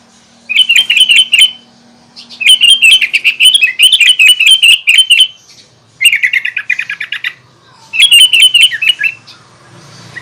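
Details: Sooty-headed bulbul in full song, meant to provoke other bulbuls: four loud bursts of rapid, bright chattering notes, each about one to one and a half seconds long, separated by short pauses, over a faint low hum.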